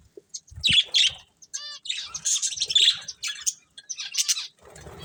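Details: Colourful pet budgerigars eating, trading rasping squawky chirps and a short buzzy, stacked note, with pauses, faint pecking taps and low rustles.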